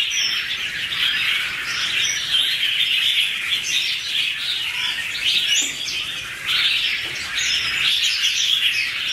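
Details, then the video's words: Duetting pair of red-whiskered bulbuls, 2016: continuous bubbling chatter with scattered sharp upslurred whistles on top, volume dipping briefly partway before resuming. "Red-whiskered bulbul ~ two birds duet with good songs"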